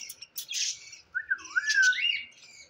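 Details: Green parrot giving a rough, buzzy squawk, then a clear whistled tone that rises and dips in a wavering slide, with harsher noisy overtones and a short burst of chatter.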